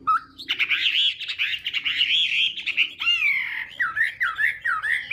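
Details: Chinese hwamei during morning contest singing to train the voice: a dense, scratchy, buzzing warble gives way to a row of clear, looping whistled notes.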